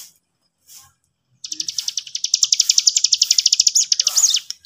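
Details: Sooty-headed bulbul song played as bait to provoke other birds: after a near-silent start, a rapid high trill of clipped notes runs for about three seconds, ending in a few slurred, rising and falling whistles.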